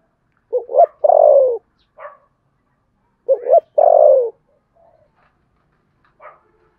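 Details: Spotted dove giving contest coos in the Sấm Thổ voice style: two phrases of paired short notes and a long descending coo, about three seconds apart, with brief higher chirps after each.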